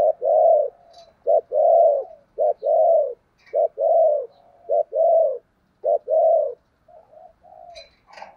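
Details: Spotted dove used as a decoy bird, cooing to call others: deep, hollow coos around a low pitch, given in a rhythmic series of short and longer notes with brief gaps, a few faint softer notes near the end.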